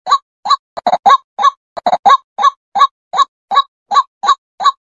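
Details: Female White-breasted Waterhen call, kept as a lure sound for trapping: harsh clucking notes, about three per second, in a steady loud series with strong overtones and no other sounds.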